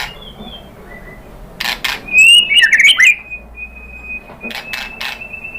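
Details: White-rumped shama singing as a lure to prompt answering birds. A faint opening whistle is followed by a brief loud burst of jumbled, tumbling notes, then a long thin steady whistle fading out amid clicks.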